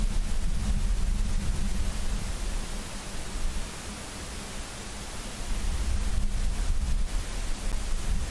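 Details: Heavy low rumbling wind buffeting with a steady hiss across the whole recording and no animal calls.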